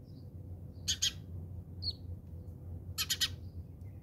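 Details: House sparrows squabbling in South Africa: two bursts of rapid, harsh, stuttered chirps, two or three notes each, separated by a single sliding high note, with a low hum behind.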